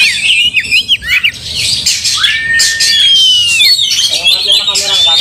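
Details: Angry Oriental magpie-robin singing during a fight, spreading its tail to rile other magpie-robins: rapid squawky phrases, a long gliding whistle, then a fast rattling series of short pulses at the end.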